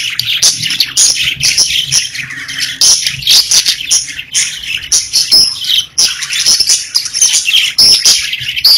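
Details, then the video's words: Several pet budgies chirp and sing nonstop, a busy overlapping stream of high twittering notes, clicks and short squeaky whistles. "Budgies Parakeets Singing, Chirping"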